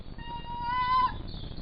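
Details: A wild female tawny owl visiting at night during lockdown, perched on fencing outside a captive owl's aviary at a falconry centre, gives a single drawn-out, clear tonal call of about a second that swells then falls away, with faint music behind.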